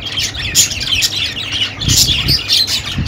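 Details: Budgerigars chattering together in a dense, continuous stream of high scratchy chirps and squawks, with brief louder peaks near half a second and again around two seconds.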